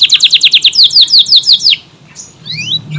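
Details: Canary giving a fast, evenly paced trill of bright descending notes for almost two seconds, followed by quieter soft upward slurs.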